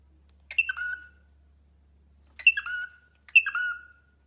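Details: Caged pet cockatiel calling three times: each call a rough scratchy note sliding down into a brief whistled ending, the last two closer together, over a faint low hum.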